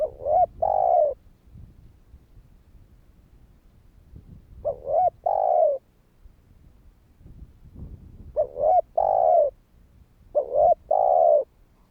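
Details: Spotted dove repeating its kích bổi phrase four times over about twelve seconds to encourage other doves to call: each phrase is two or three quick coos followed by a longer rough croo.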